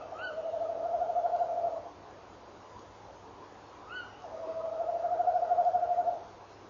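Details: Tawny owls at 06:45 on 18 November 2013: a male gives a long, low, wavering rolled trill twice, each about two seconds. Each trill is preceded by a short, sharp, rising call as the female answers and encourages him.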